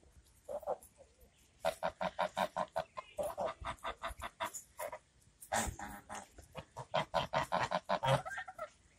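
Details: Talkative geese chattering: rapid runs of short nasal honks, several per second, in bursts separated by brief pauses, overlapping voices from more than one bird.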